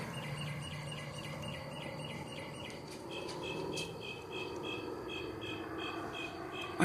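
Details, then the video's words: Unidentified bird calling persistently at midnight for several minutes: rapid trains of short, evenly spaced high notes that switch pattern partway through, over a steady hiss of night insects. "weird bird sounds at midnight"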